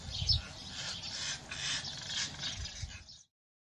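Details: Competing European rollers at a nest-site dispute on a reed-thatched roof in Hungary's Kiskunság give hoarse, scratchy broadband calls in quick clustered bursts, ending abruptly after about three seconds.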